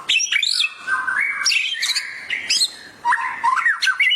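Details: Heated gacor emosi song from a white-rumped shama hearing a training recording, loud clear whistles sliding up and down, interspersed with sharp high squeaks and quick warbled runs.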